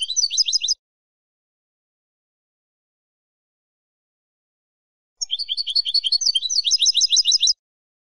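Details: Silvestrismo goldfinch song: the tail of one twittering phrase, a long pause, then a longer phrase of more than two seconds made of quick, high, buzzy repeated notes that grow busier toward the close.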